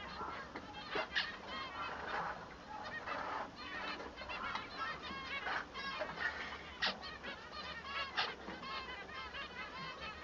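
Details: Male manon, or Bengalese finch, in song, a voice used to tell him from the female: rapid strings of squeaky, nasal notes broken by sharper clicks, rising and falling in bursts.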